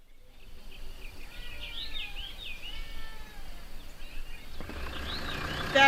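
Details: Trumpeter Hornbill heard at an African camp around 9 a.m. on a road trip, giving a run of nasal, wailing notes that slide downward, like a crying baby, over steady road noise. A rush of wind or engine follows.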